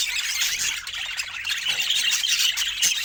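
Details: Busy budgerigar chatter, a thick wash of high twittering and squeals from more than one bird, with a brief sharp squeak near the end.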